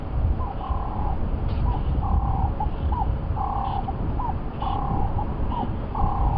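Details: Ring-necked dove calling behind a safari vehicle at sunrise on 28 October 2015 while lions rest by a dam; low rolling coos in three-part phrases repeat roughly every second over a steady engine rumble.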